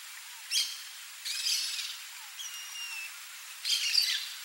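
Rusty-margined flycatcher gives short harsh, scratchy bursts and a thin, level whistled note over about four seconds. Faint background hiss.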